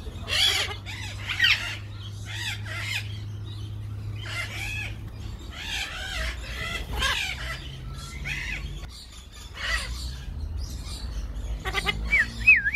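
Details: Golden-collared macaw, also called yellow-collared macaw, giving a series of harsh, screechy squawks in irregular bursts with arched, rasping notes. A low steady hum runs underneath throughout.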